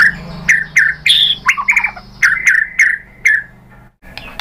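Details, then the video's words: White-rumped shama sounds used to lure other shamas into singing: scattered harsh squawky notes and short downslurred calls with pauses between, over a faint low hum. "KICAUAN MURAI BATU memancing BUNYI jadi NYAUT GACOR BONGKAR MATERI | PANCINGAN MURAI"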